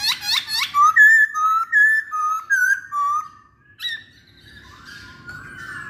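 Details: Masked laughingthrush singing indoors: a fast burst of stacked chirps, then a run of clear two-part whistled phrases repeated about once a second, each slurring up and down, and a lone high note before fading to quiet hiss.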